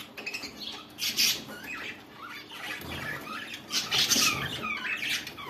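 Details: Budgerigars during mating chatter in a busy stream of high, scratchy squawks and warbles, with bursts swelling every second or so against a faint indoor hum; budgerigar.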